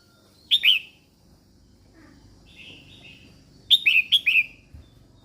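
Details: Female red-whiskered bulbul singing to stir up males: a quick pair of bright, downward-slurred whistles, a soft warbled murmur, then a louder run of three falling, ringing notes.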